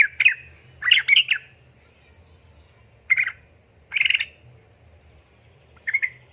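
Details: A female yellow-vented bulbul summons a male in a lure recording, "ngeriwik ropel" chatter; scattered bursts of harsh, bubbly chirps and short rattles at irregular intervals, with a faint high thin whistle in the background.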